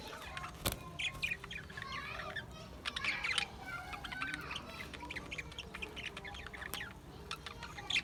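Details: Budgerigars, described as Australian budgies, give scattered chirps and short warbling notes over a steady low background hum, with sharper clicks between calls.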